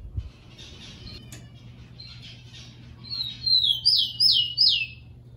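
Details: Tico-tico (Rufous-collared sparrow) singing, played to encourage captive birds to sing: soft twittering chatter at first, then a thin whistle and four loud whistles each sweeping down, evenly spaced about a third of a second apart.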